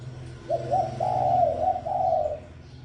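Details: Brief spotted dove decoy phrase: two short rising lead notes run into a long, slightly wavering coo and a final drawn-out note, over a droning low hum.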